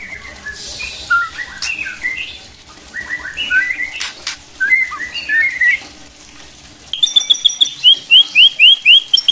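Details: White-rumped shama singing as a lure for other shamas: a loose jumble of mid-high whistles and clicks, then a fast, steady burst of bright, repeated rising notes near the end.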